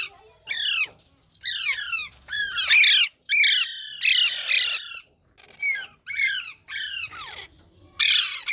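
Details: Several parrots kept in a cage give loud, grating squawks, each burst sliding downward in pitch, repeated in an uneven rhythm of roughly one per second with short silent gaps.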